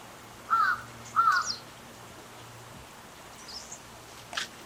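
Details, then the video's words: A little egret, possibly in a fight, gives two harsh, gravelly, deep croaks in quick succession, then falls quiet; a faint sharp click follows over a low background hum. "コサギの鳴き声 + 喧嘩（白鷺） Little Egret"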